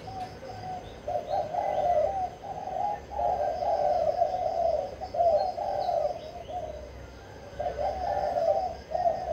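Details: Spotted dove from Vinh Long, Vietnam, cooing: steady low phrases of rolling coos repeated with short gaps over a constant background hiss.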